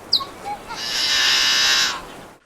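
A Yellow-headed Blackbird gives a few short, clipped notes, then one long, harsh, buzzing rasp lasting about a second.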